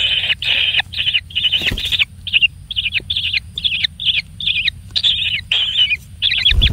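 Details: A single pampered kingfisher chick being given plenty of food repeats short, harsh, buzzy begging notes about twice a second, each slightly falling. Near the end there is a low thump.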